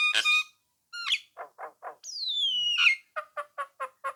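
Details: Nias hill myna singing to provoke rivals into answering: harsh squawks, low rasping notes, a long loud whistle sliding downward, then five evenly spaced sharp chucks.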